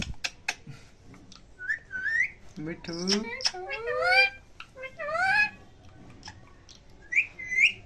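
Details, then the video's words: Indian ringneck parakeets talking to each other in Hindi indoors: rising whistled syllables mixed with harmonic, speech-like phrases and brief clicks, with a person talking in between. "Adorably Talking Ringneck Parrot With Each Other In Hindi"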